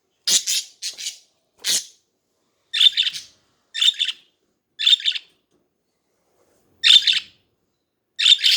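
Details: Pet budgerigars calling in a chattering series of short harsh chirps and squawks, some doubled, spaced roughly one second apart with clean quiet gaps between.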